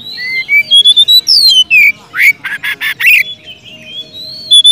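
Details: Singing Oriental magpie-robin in loud, full 'gacor ngeplong' style, used as a lure to call a rival and stir a silent bird to sing: clear gliding whistles mixed with a burst of harsh, raspy notes.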